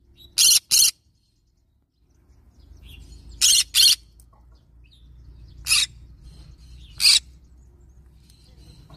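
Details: Yellow-sided green-cheeked conure screeching in grating broadband bursts: a paired squawk, another pair three seconds on, then two single calls, over a low background hum.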